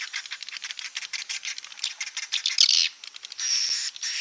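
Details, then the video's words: Swiftlets calling in a lure for roosting: a jumble of quick raspy chirps and clicks builds up, then gives way to a steady buzzy hiss with a faint high whine. "Suara Burung Walet untuk Inap"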